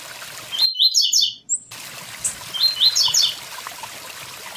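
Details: Blue-black grassquit singing beside a waterfall: short high buzzy 'tui tui zel' phrases of rapid descending notes, with a brief dropout, over steady rushing water.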